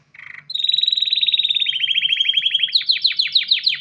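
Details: Male canary ready to mate, singing to call a female and stimulate breeding and nest building: a short buzzy burst, then a long fast trill of rapid notes slowly dropping in pitch, ending in sweeping down-slurred whistles.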